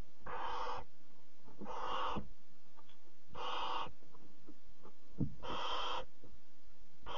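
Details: In a nest box at 03:00 on 26 July 2017, a barn owl mother arrives with prey for her chicks amid harsh, breathy hissing screeches about half a second long, repeated every 1.5–2 seconds, with soft clicks and rustling between.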